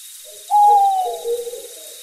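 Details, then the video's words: Owl heard at night, played to children during a geography lesson: one drawn-out tonal hoot that slides gently downward, trailed by a softer, lower wavering tone, with a faint steady hiss behind it. "Será que você já ouviu esse som de coruja?"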